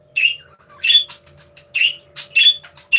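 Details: Budgerigars in an aviary: five short rasping chirps with whistled centers, spaced about half a second apart, over a low steady hum.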